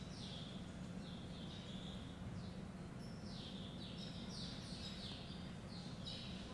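Taveta golden weavers give repeated sizzling, downslurred chirps that overlap as several birds call during display, over a steady low rumble of background noise.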